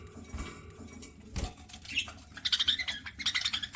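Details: Pet budgerigar chirping while eating: after a quiet stretch with soft clicks and a low thump, a rapid burst of short, bright, scratchy chirps fills the last second and a half.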